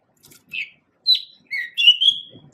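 A male pied bushchat gives a brief, sweet phrase of high whistled notes, four quick bursts ending in a longer warbled whistle, with a faint low rustle.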